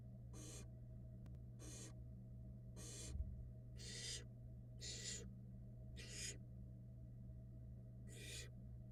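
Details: Downy barn owl nestlings being fed by their mother at a camera-watched nest, brood hatched February 2022: seven rasping, breathy hisses, each about half a second, spaced roughly every second, with a constant low hum beneath.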